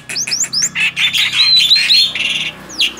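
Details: Short burst from a tame male Black-winged starling singing busily, with quick upslurred whistles followed by dense scratchy chatter and a final sliding whistle.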